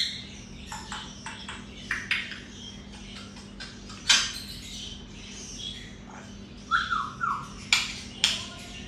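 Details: Grey parrot, a talking bird said to say Assalamualaikum, giving a run of short harsh squawks and clicks, a few louder bursts near the middle and later, with brief whistled downslurred notes toward the end.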